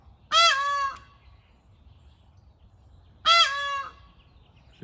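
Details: A lone Indian peafowl peahen (Pavo cristatus), separated from her group in the morning, gives two loud, nasal, brassy honks, each just over half a second and about three seconds apart, over quiet background rumble.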